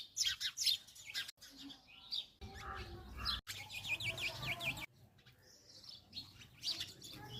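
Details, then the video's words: Several sparrows chirp busily, with quick high tweets and short bright notes overlapping irregularly, about two a second. "Bird's chirping"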